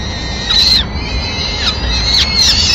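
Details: Peregrine falcons in Madrid on 26 April 2016, as the male brings a small bird as the first meal of the day for the chicks. A few drawn-out, harsh, high calls fall slightly at the ends, over steady low background rumble.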